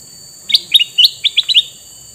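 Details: Male red-eyed sooty-headed bulbul singing a quick run of six bright, chirpy notes, each dropping slightly in pitch, packed into just over a second, over a steady high-pitched hum.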